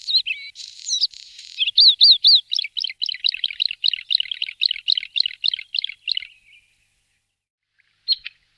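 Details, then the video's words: A Bluethroat (Luscinia svecica) sings a fast, varied run of bright, high chirps and trills repeated rapidly for about six seconds, then a brief final note. "Варакушка Luscinia svecica"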